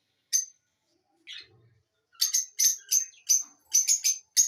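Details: Lovebird chirps: a lone sharp squeak, a softer scratchy note, then a quick series of about eight harsh, bright chirps spaced under half a second apart.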